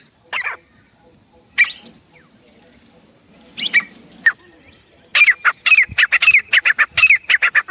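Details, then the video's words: Francolin (teetar) calling in the jungle, used as hunting sounds: a few scattered harsh notes, then a fast burst of repeated grating, slightly rising-falling notes in the last three seconds. "francolin calling voice jungle,teetar Shikari sounds"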